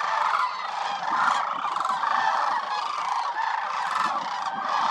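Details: Thousands of wintering sandhill cranes at Willcox Playa Wildlife Area, a site hosting over 20,000, call together in a steady, loud wall of purring, bugled notes with no pauses.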